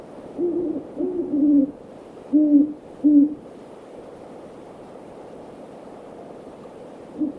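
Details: Great horned owls in a backyard one evening: deep, soft hoots in short groups, a single hoot followed by a doubled hoot, then two spaced single hoots and a faint final one, against a quiet background.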